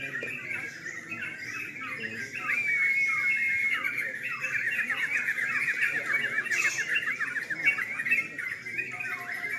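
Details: Several yellow-vented bulbuls competing in a singing contest after dark, their bubbly, warbling phrases tumbling over one another in a continuous chorus, a brief level whistle rising above early on; soft voices in the background.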